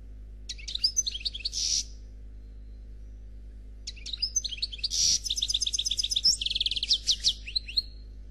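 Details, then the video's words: Khalwi black goldfinch singing without faults: a short twittering phrase ending in a buzz, a two-second pause, then a longer bright series of rattling trills and clear slurred notes. "Chardonneret Noir Khalwi Chant sans fautes"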